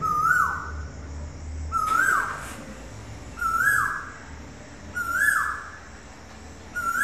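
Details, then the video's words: Indian cuckoo calling at sunset in Silchar, India, recorded on a mobile phone. It gives short, mellow whistled phrases that rise then fall, repeated about every two seconds over a low background hum. "Indian Cuckoo Calling"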